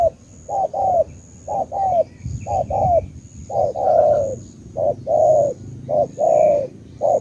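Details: Spotted dove from Cà Mau, Vietnam, uttering short mellow coos in uneven groups, some notes slightly falling, with faint twittering from other birds in the background.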